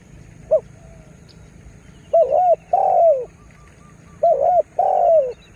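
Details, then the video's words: Lure spotted dove calling to provoke wild birds; one brief note, then two phrases each of a quick doubled coo followed by a longer falling coo, with faint high chirps behind. "Tekukur Dengan Daya Panggil Yg Unik Bikin Burung Liar jadi Emosi"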